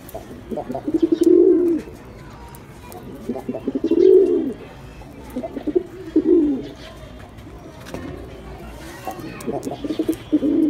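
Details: Pigeon giving a series of low, rounded coos about every two to three seconds, each swelling and fading, with light rustling between them.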